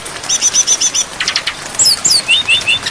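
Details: Brown-chested jungle flycatcher tutor recording with varied fill-in phrases and rain: a fast run of even, high ticking notes, then sharp up-slurred whistles, with rain crackling behind.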